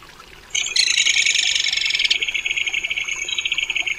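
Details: A crested kingfisher (Megaceryle lugubris) gives a loud, harsh, grating rattle of rapid pulses lasting over three seconds, slowing and dropping slightly in pitch toward the end.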